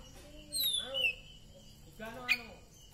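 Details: A captive Oriental magpie-robin, said to sing out after song therapy, gives a few loud, clear whistled notes that sweep down then up, with a sharp burst near the end; low voices or murmuring run underneath.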